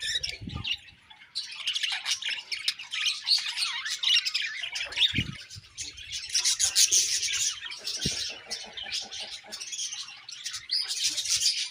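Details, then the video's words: Budgerigars, a flock chirping: continuous high warbles, scratchy chatter and sharp squawky notes overlapping, broken by a few low thuds. "Beautiful Budgies Chirping Sounds"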